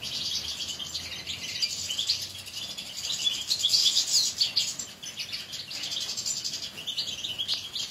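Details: Caged European goldfinches in a chorus of fast, liquid twittering, bright high chirps and short buzzy trills tumbling over one another, loudest in the middle, then easing into thinner chatter.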